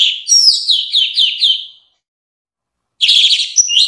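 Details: Orange-headed thrush song: a rich, high run of rolling slurred whistles lasting almost two seconds, a pause, then a dense burst of twittering notes.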